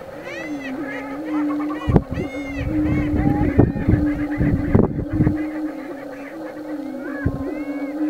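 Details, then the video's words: Prairie chicken dancing on a display ground: drawn-out low hooting moans overlap continuously while several rising, whooping cackles and squeals repeat above, with bursts of crackling noise around the third to fifth seconds. "Prairie chicken dance"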